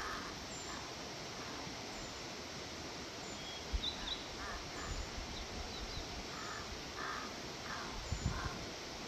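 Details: Crow calls meant for attracting crows: a loose series of short, harsh caws from about the middle of the recording onward, some paired, set against steady broadband outdoor noise and low rumble.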